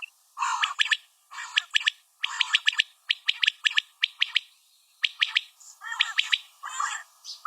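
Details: A female common quail gives high, sharp clicks in tight groups of three, repeated about every second with short pauses between runs.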